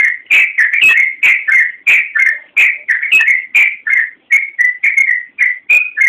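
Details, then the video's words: Busy full song of a yellow-vented bulbul meant as a training master: loud, clipped whistles tumble out in rapid pairs and triplets, each slightly descending, with only short breaths between groups. "Suara Burung Trucukan Masteran Trucukan Gacor Full Isian Kicau HD"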